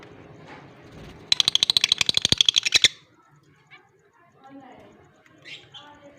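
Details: Blue personata and albino lovebirds recorded on October 25, 2023, giving one loud burst of rapid, evenly pulsed chattering notes lasting about a second and a half, followed by quieter scattered chirps.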